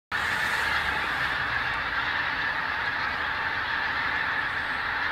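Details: Geese flying against the dawn sky over Invergowrie Bay, Dundee, on Wednesday 19 October 2016; a dense, unbroken chorus of overlapping honks from a large flock, steady throughout with no clear gaps.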